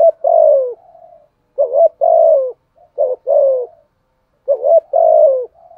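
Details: Cooing spotted dove kept as a decoy to provoke rival males: repeated low two-note phrases, a short rising coo then a drawn-out descending one, spaced roughly a second apart and sometimes ending in a faint trailing hum.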